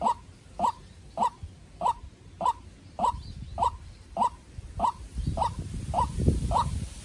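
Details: Young captive-bred decoy white-breasted waterhen facing a wild bird in a heated contest: a steady series of short, abrupt mid-pitched notes about every half second, with rustling and low thuds in the background.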